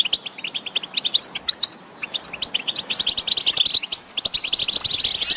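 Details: Goldfinch chatter for stimulating silent males: quick, evenly spaced bright chirps, a pause around two seconds, then a steadily thickening run of high twitters and buzzy trills.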